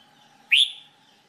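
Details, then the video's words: A single loud, upslurred whistle from a red-whiskered bulbul in singing training, short and bright against faint background hum. "Red Whikered Bulbul Jambul bulbul SINGING training"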